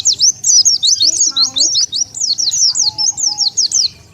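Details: Oriental white-eye calling as a lure for wild birds: a steady run of sharp, high, zigzagging chirps about four per second, with a brief low voice-like sound partway through.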